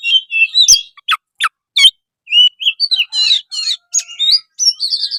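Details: Kacer (oriental magpie-robin) gacor song used to set other kacer singing: whistled opening, several sharp descending chips, then rapid varied whistles and short buzzy trills.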